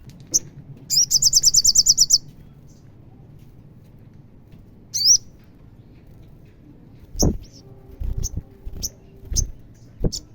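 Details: Sogon, the olive-backed sunbird, singing to spur a caged bird into song: a quick run of high, evenly spaced trilled notes lasting about a second, a single rising whistle, then sparse piercing chips with dull knocks below.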